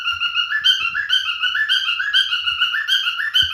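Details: A male cockatiel sings a steady stream of bright whistled phrases that slur between two pitches, with a few faint low knocks in the background.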